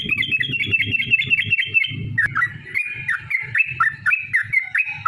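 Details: Fast, continuous bubbly chatter of a yellow-vented bulbul in long 'ropel' song, used to coax other bulbuls to sing, over steady low rumbling and thumping background noise that eases in the second half.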